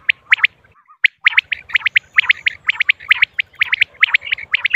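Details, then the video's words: Female common quail calls: sharp, clear notes in pairs and triplets, repeated about once a second after a short opening pause. A low, rhythmic hum runs throughout. "quail sounds,female, common quail"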